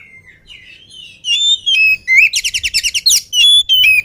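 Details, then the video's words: Unfed, agile oriental magpie-robin in full song: rising whistles build into a fast series of loud, repeated buzzy chirps, then clear whistled notes. "KACER GIRAS/GESIT BELUM MAKAN VOUR GACOR"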